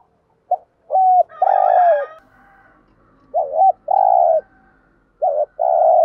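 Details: Spotted dove used as a lure, cooing in the morning to gather its flock. Mellow paired coos, a short curled note then a long even one, come in three phrases. A rougher overtone-rich note appears early.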